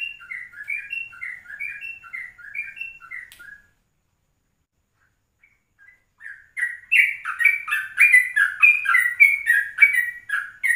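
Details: At 04:30 in the morning a yellow-vented bulbul sings for a lure recording in ropelan style. Paired whistled notes repeat evenly, then silence, then a loud rush of chattering, bubbling phrases.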